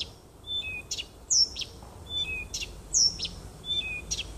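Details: Nightingale song from woodland beside a house, 30 June 2015: a repeated phrase of two level whistles, a click burst and a loud down-slurred note, given about every one and a half seconds.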